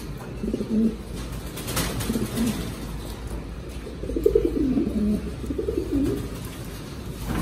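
Mondain pigeons give low, throaty rolling coos in short bursts about every second or two, with faint background hum.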